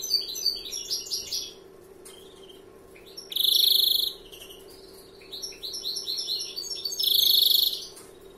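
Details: A 'novel' European greenfinch delivers 'larguero'-style song: stuttering chirps and twitters, then two strong, buzzy, evenly pulsed trills about four seconds apart, each near a second long.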